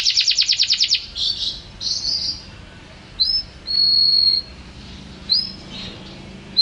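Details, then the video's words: Canary song meant for tutoring birds at home: a brief rapid trill followed by sparse, long level whistles separated by pauses, over soft background noise. "Suara KENARI Juara Gacor terbaru"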